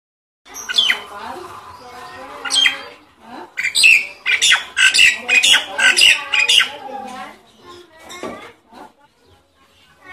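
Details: Nias hill myna lure call, used to prompt silent mynas into singing. A busy run of loud, harsh squawks mixed with short whistled notes, with a rapid burst of sharp calls in the middle that repeats about twice a second.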